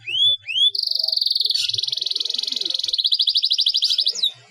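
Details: Two quick rising whistles open a long, even canary roll that shifts into a faster beaded trill and ends in a swept note, played as therapy to make lazy canaries sing.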